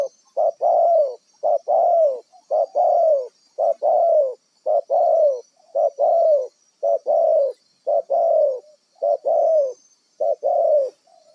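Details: Wild spotted dove kept as a decoy bird for trapping, cooing in paired notes: a short coo then a longer, slightly falling coo, repeated about once a second across the whole stretch, over a steady faint high whine.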